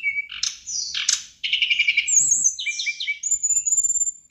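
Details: Lively pied fantail (sirdadu) song played to make rival birds respond: rasping trills at the start, then clear high whistles sliding downward and a long thin sustained whistle, densely delivered.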